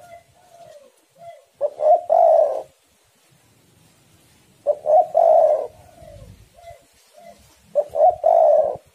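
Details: Spotted doves singing against each other: three low cooing phrases about three seconds apart, each clipped introductory notes then a sustained rolling coo, with quieter single coos in the gaps.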